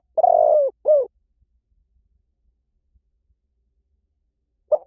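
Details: Spotted dove uttering a long, rasping, downward-sliding coo and a short curved note. Near-silence follows, then one more short coo at the end.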